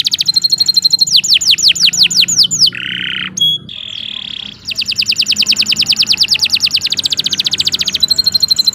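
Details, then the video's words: Canary in long continuous song meant for training other birds: rapid high trills, a run of descending slurs, low buzzy notes, then long fast repeated trills. "11 Suara Burung Kenari II GACOR PANJANG Cocok untuk Masteran"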